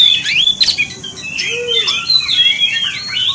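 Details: Short burst of Oriental magpie-robin song for provoking other magpie-robins: clear whistled slurs and sharp chips mixed with a brief lower whistled note in the middle.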